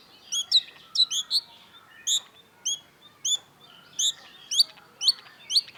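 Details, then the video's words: Long-tailed shrike, called cendet, in energetic song for bird-keepers' tutoring: paired and single high, looping chirps repeated roughly every half second, bright and clear against a quiet background. "cendet gacor MASTERAN CENDET BANYAK DICARI PECINTA BURUNG || Long-tailed Shrike"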